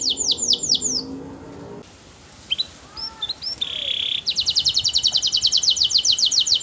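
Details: Canary in melodious song, opening with a run of downslurred whistles, a quiet stretch of soft chirps, a level whistled note, then a rapid, even trill of clipped high notes to the end.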